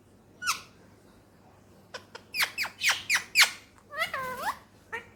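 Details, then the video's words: Captive male rose-ringed parakeet, a Pakistani talking pet: a quick rapid series of harsh squawking syllables, about six in a row, followed by wavering, warbled chatter notes and a last short squawk, indoors. "talking parrot"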